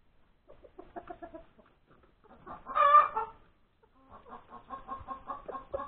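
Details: Hen cackling after laying an egg at breakfast time on Sunday, January 31, 2021: a run of quick clucks, one loud drawn-out harmonic squawk in the middle, then another fast series of clucks.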